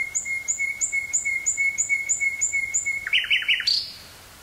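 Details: Wild nightingale singing in the woods near Burgh-Haamstede, Netherlands, May 18th 1983, cassette recorder with stereo mic: a long run of evenly spaced repeated clicking notes ending in a quick rising flourish.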